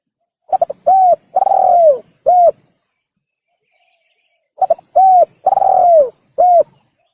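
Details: Spotted dove used as a hunting lure, calling two complete phrases: a quick stutter, a clear coo, a long downward-curving coo, then a short coo, separated by about two seconds of silence.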